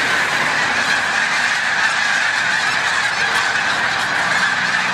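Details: Huge flock of snow geese during migration at Montezuma, New York, 7 March 2022, lifting off: a constant roar of overlapping yelping honks, steady in loudness throughout.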